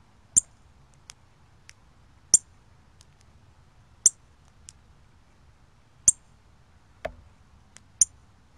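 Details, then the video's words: On October 24, 2020, a Cardinal gives crisp, high-pitched chip calls roughly every one and a half to two seconds, five strong notes with a few weaker clicks, against a hushed low hum. "Cardinal With Call"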